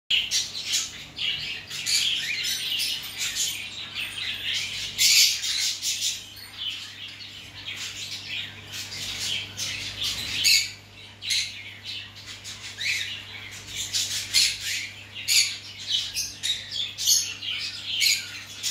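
Zebra finches chatter busily with high, nasal honks and squeaky trills over a faint steady hum.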